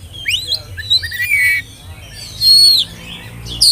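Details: Whistling oriental magpie-robin, a spotted young bird, used as a lure so young birds join in: clear sliding whistles and rapid swooping notes, one long steady whistle near the end.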